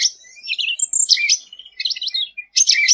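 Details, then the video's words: Sooty-headed bulbul singing briskly as a training tutor: continuous buzzy chatter mixed with high thin whistles and warbled notes, broken by one short pause near the end. "Suara Cucak Ranting Gacor untuk Masteran ll Suara burung cucak rante"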